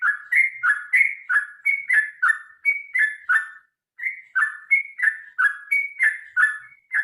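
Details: Sooty-headed bulbul pouring out a long rolling fighting song to encourage birds to sing: repeated fluty notes falling in pitch, with one brief pause midway.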